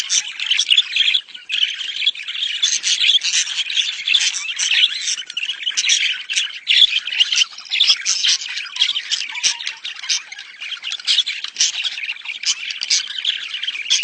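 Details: Australian budgerigars chattering in breeding mode, a recording used to stimulate mating: rapid scratchy squawks and chirps in quick uneven bursts, swelling and fading for fourteen seconds, with many short sharp clicks scattered throughout.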